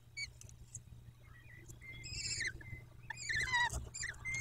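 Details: Peregrine falcon at the nest, Dobra, 14 May 2021 at 14:18: rough, wavering harmonic calls rising and falling, several overlapping in a burst, among light scraping noises.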